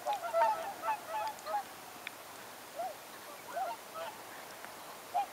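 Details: A mixed flock of about 80 tundra swans and 40 whooper swans in Oltenia, Romania, in November 2014: soft, nasal, bugling honks from several birds overlapping in loose bursts, then trailing off into scattered single notes over quiet background hiss.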